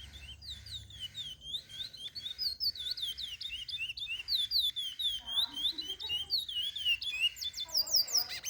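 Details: Chestnut-bellied seed finch song used to teach young birds: a continuous run of high, clear whistled notes, each one sliding up and down. The phrases follow one another quickly with little pause, and a faint low hum sits underneath.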